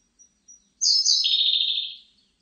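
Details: One song phrase of a Siberian blue robin, 2020: two quiet high tsip notes, then a loud trill that starts very high and quickly drops to a lower, rapid rattle for about a second before fading.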